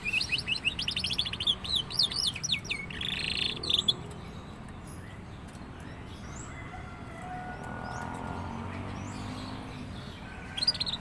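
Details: Young canary starting to sing actively: a burst of fast chipping trills and a buzzy phrase fills the first four seconds. Then comes a quiet stretch with faint distant tones, and a short chirp at the end.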